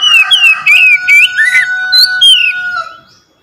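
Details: Oriental magpie-robin song used to provoke a silent bird to sing: varied swooping whistles over a steady background hum, several phrases rising and falling, fading out at the end.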